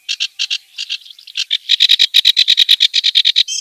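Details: Kerak basi in the wild giving harsh, croaking notes in pairs, then a steady run of about twenty loud, grating notes repeated several times a second, ending in a rising squeak.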